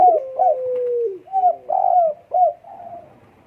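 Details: Spotted dove in breeding condition: a long steady cooing note sinks gently, then quick, husky, clipped coos follow in a fast broken series.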